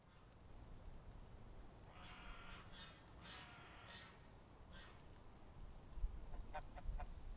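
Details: A few harsh, nasal honks from a greylag goose, possibly leucistic or possibly a hybrid, spaced about a second apart, over steady low wind rumble and some clicking knocks at the end.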